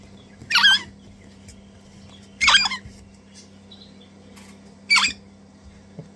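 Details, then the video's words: Two Crimson Rosella chicks being hand-fed, messy and enthusiastic eaters; three short harsh, buzzy squawking bursts about two seconds apart, with a low steady hum behind. "Handfeeding 2 Crimson Rosella chicks"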